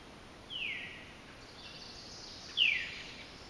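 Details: Several Veeries calling at Sosebee Cove, with a robin and warblers also present, give two downward-slurred, breathy 'veer' calls about two seconds apart, the second louder, over a steady background hiss.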